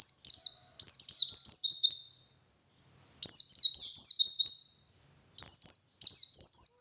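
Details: White-eye in the ngalas song style with "wit wit" variation, a lure for captive birds: bursts of shrill, fast descending and rising twitters repeated after brief silences, with no other sounds present.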